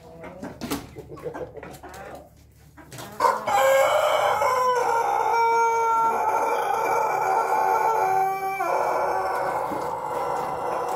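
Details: Long drawn-out crow of a Pelung chicken, preceded by a few seconds of scattered clucks and knocks, then a sustained harmonic note held for roughly eight seconds with slight pitch steps partway through.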